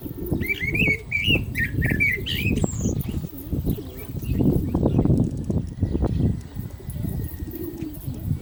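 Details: Common blackbird singing during the call to prayer. A burst of quick fluty, warbling whistles opens the phrase, ending in a high thin note, then loud low rumbling background noise takes over.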